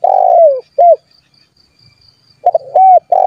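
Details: Spotted dove calling to rivals so they answer, meant to draw wild doves near: the tail of a long falling burry coo and short end note, a pause, then a new phrase of stuttered notes, level coo and rough coo.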